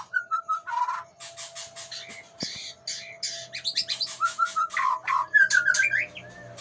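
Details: An Aceh-type white-rumped shama delivers a long, rapid run of whistled phrases and chattering notes, roughly three per second. Clear fluty slurs alternate with harsh, rasping bursts, and a steady faint hum sits underneath.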